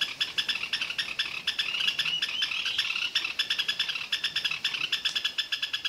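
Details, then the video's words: Great xenops (Megaxenops parnaguae), a Brazilian caatinga endemic, singing without pause in the wild: a fast, steady stream of sharp, high, ringing notes, several per second. "Bico virado da caatinga (Megaxenops parnaguae) - Cantando sem parar em vida livre."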